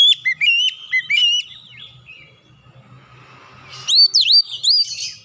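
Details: Oriental magpie-robin lure song for a stressed, untrained bird: several bright down-slurred whistles, then a soft, quiet stretch and a closing flurry of sharp V-shaped notes over a faint low hum.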